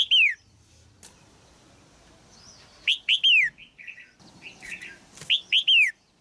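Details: Caged female red-whiskered bulbul singing to excite a mature male: clear falling whistled notes in short groups of two or three, interspersed with softer chatty notes and a few clicks.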